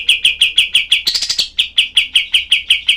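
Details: Harsh, closely spaced chips of a cream-vented bulbul used as a tutor recording, each note sharp and clipped, interrupted midway by a short buzzy, chattering burst before the rapid-fire series resumes.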